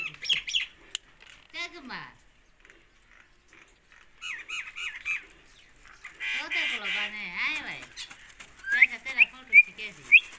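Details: Indian ringneck parakeet kept as a pet, giving harsh, raspy squawks in bursts. A broad noisy cluster follows in the middle, then a run of sharp, loud calls near the end, with quiet gaps between.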